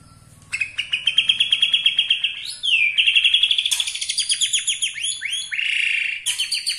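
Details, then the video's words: Borneo white-rumped shama singing to rouse rivals: long, rapid, buzzy trills held at one pitch, a swooping whistle between them, then a run of quick ringing notes and a final trill. "gaya murai BORNEO bikin murai lain Naik darah"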